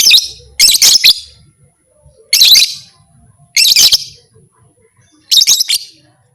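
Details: Four clusters of rough, piercing chatter from a lovebird, a call said to make other lovebirds fight, separated by pauses of about a second. Faint low rumbling lies underneath.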